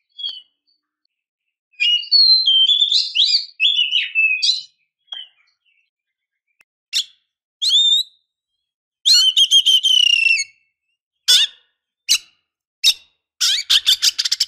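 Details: Female Oriental magpie-robin calling to entice a male, mixing warbled whistled phrases with separate rasping chirps, then a fast, stuttering series of sharp, high clicks near the end.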